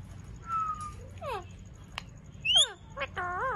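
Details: Pet Indian ringneck parrot (Kashmiri Raw parrot) indoors: a level whistle, falling slurred notes, a sharp rising squeak, then a wavering, nasal call, with a faint steady high tone in the room.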